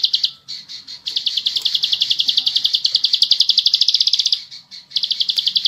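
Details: Bar-winged prinia (ciblek sawah) delivering nonstop 'bren' song for tutoring other birds. Fast, high, metallic chip notes repeat steadily for over three seconds, bracketed by shorter bursts and brief pauses.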